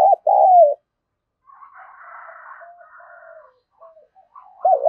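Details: Decoy spotted dove cooing in the 'thúc' style to draw wild doves near: an opening loud two-note coo, then a stretch of faint, low murmured notes, and the start of another coo at the end.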